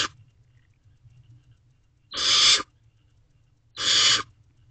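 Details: Barn owl chicks in a nest box at 12:01 am, 21 May 2023, allopreening as they wait for food; the tail of one hiss, then two loud rasping hisses about one and a half seconds apart.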